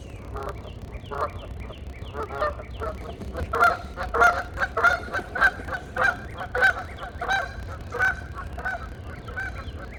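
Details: Several geese converse with a mating call, starting with quieter honks and building to a steady run of loud, nasal honks about every half second, over a low rumble.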